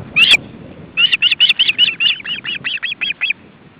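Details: Osprey nest with three young and parents delivering fish, windy weather; one loud sharp whistle, a pause, then an even string of about a dozen high, downslurred chirps fading at the end, with a soft wind hiss.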